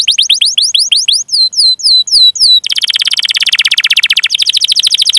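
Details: Canary in full, long song used as a training recording to stimulate young or silent canaries: quick downward-swept whistled notes repeated in a rapid series, then a dense, buzzy rolling trill from the middle to the end.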